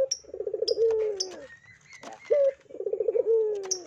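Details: Puter dove giving its lure call, low rolling coos that pulse quickly then stretch into a long falling note, separated by a short sharp upslurred syllable, with faint high chirps in the background.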